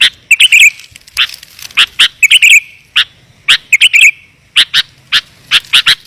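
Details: Lure recording of sooty-headed bulbul meant to call wild birds in, clear and closely packed: bright chirps and bubbly slurred phrases in rapid bursts with short gaps, plus a faint low hum.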